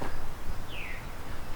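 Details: Veery at Beverly Swamp near Hamilton, Ontario, where it is common, giving its single slurred, downward 'veer' call lasting about a third of a second, over low rumbling wind or handling noise.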